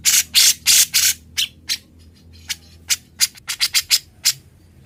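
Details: Grey-cheeked bulbul, known locally as cucak jenggot, in lively chattering song for training other birds: loud rasping broadband bursts at first, then spaced sharp notes and short clustered phrases.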